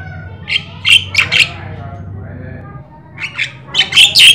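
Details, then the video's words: Javan myna (jalak kebo) in lively 'gacor' song: four rough squawks, a lull of faint murmuring, then a louder run of shrill, grating notes near the end, over a low background drone. "Jalak kebo gacor, jalak kebo mata putih, jalak sungu, jalak"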